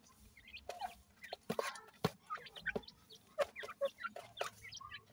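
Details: Several partridge and pheasant chicks eat traditional desi feed, uttering short high upslurred peeps at irregular intervals amid sharp pecking clicks.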